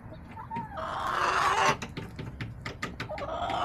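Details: Backyard chickens on October 10, 2024: a rooster gives a drawn-out, harsh crow that swells and then breaks off, with scattered short clucks and clicking noises around it.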